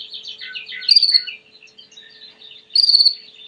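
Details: Domestic Belgian canary singing: a rapid run of buzzy stacked trills sliding around mid-high pitch, then two bright, piercing whistled rolls about two seconds apart, with soft scattered chirps between.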